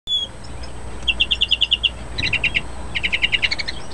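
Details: Excited European greenfinch during mating display: short bursts of rapid, evenly spaced high trilled notes, three runs of about eight notes each, over a steady background hiss.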